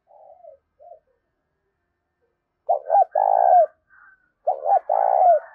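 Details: Decoy spotted dove cooing to stimulate other doves. Soft fragments at first, then two full phrases about two seconds apart, each of two quick low notes and a long, even coo dropping at the close.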